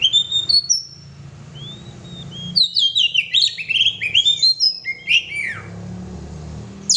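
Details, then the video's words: Gacor song of an oriental magpie-robin: a few thin high whistles, a pause, then a dense tumbling run of sharp chirps and slurred whistles for about three seconds, faint low hum. "kacer gacor"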